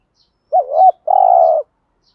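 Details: Lure song of a spotted dove, thúc gù style, meant to stir wild birds to coo in reply: a bent two-part opening note, then a sustained steady coo after a short gap, no other sounds.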